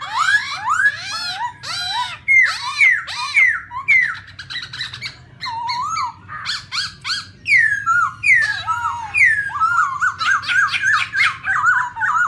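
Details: Caged female Black Laughingthrush giving 'ro ro' song alongside a male, used to prompt other birds to sing: loud, varied whistles and harsh squawky slurs, repeated rapidly and irregularly.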